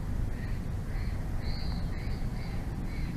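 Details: Nest-camera recording of bald eagles in Big Bear Valley on 06/02/2024 at 22:33: a few thin, rising-falling piping notes, one longer and higher, against heavy low wind noise.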